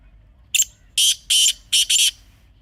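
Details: Grey francolin call offered for hunting: a brief rough introductory note, two loud harsh notes, then a closely doubled pair, forming a loud repeated-sounding phrase in a quiet setting.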